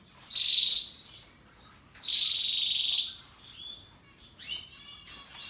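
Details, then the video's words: Russian yellow and Timbrado canaries in song: two loud, steady, high rolling trills, each lasting about a second, followed by a softer trill and quick descending sweeps. "RELAXING Canaries Paradise Song Sound"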